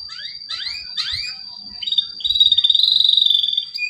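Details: Male canary song used as a prompt for canaries that have stopped singing: a few quick rising sweeps, then a dense buzzy trill holding steady, with a constant high tone in the background.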